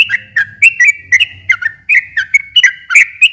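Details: Sooty-headed bulbul pouring out rapid liquid chirps and warbled slurs, a song played to coax a silent bird into singing back, with a faint low rumble underneath.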